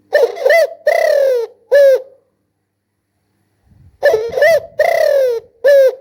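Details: Spotted dove giving low, throaty coos in two bursts, each a stuttered short note, a drawn-out falling coo and a clipped final note, with nearly two seconds of silence between phrases.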